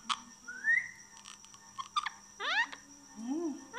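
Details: Indian ringneck parakeet, a talking pet parrot, giving a rising whistled note, short clicks, then a quick stack of upward-sweeping squawks and a lower falling-rising note, with a steady background hum and a person speaking nearby.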